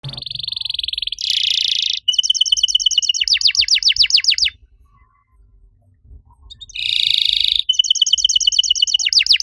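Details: Canary singing a master song used to coax other canaries that have stopped singing: a dense buzzy roll, then rapid high trills and sweeping repeated notes, a short pause, then another buzzy roll and fast trill.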